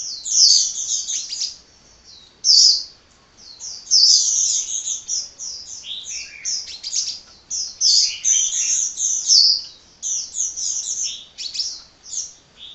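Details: Hummingbird singing without pause: dense, high, twittering chirps and trills in bursts of one to two seconds separated by short gaps, with no other sounds.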